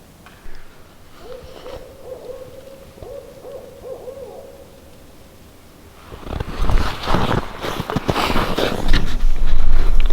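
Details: Barred owl hooting near an off-grid cabin: a rhythmic run of mellow, throaty "who cooks for you" hoots on a steady pitch, identified as a mating call. Loud crackling and rustling from an open cooking fire then takes over.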